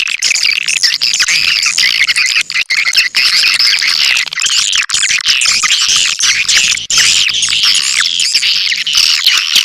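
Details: Swiftlet lure call, a long steady stream of many overlapping shrill chirps, squeaks and trills, dense and high-pitched, with a few brief gaps.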